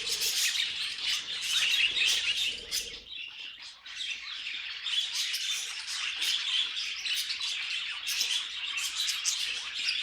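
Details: Pet budgerigars singing: rapid chirps and warbles that dip briefly a few seconds in, then the dense, squeaky chatter picks up again and continues.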